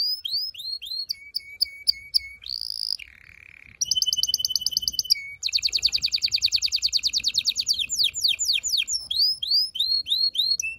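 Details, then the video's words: Canary song meant to stimulate males and prepare females for mating: a loud, varied sequence of rising whistled notes, steady high tones, fast buzzy trills and rapid rattling tours, with a brief low droning phrase midway. "غناء طائر الكناري لتحفيز و تحضير الاناث و الذكور للتزاوج و تغريد المستمر"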